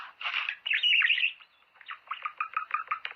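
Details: Budgerigar song meant to encourage mating: a scratchy chatter, then a loud squeaky whistled phrase, followed by a string of short clicking, ticking notes repeated quickly.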